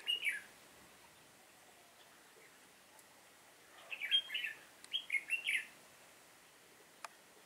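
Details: Decoy Red-whiskered bulbul in a trapping session, 7 September 2018, singing a combative song: one brief warbled phrase, a long quiet gap, then a run of rich slurred notes. A single sharp click follows.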